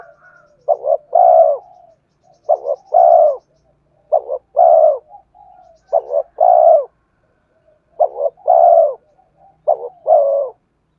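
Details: Spotted dove singing to lure wild birds: repeated three-part coos, two clipped notes then a drawn-out descending coo, phrases about every two seconds, with soft high whistling in the gaps.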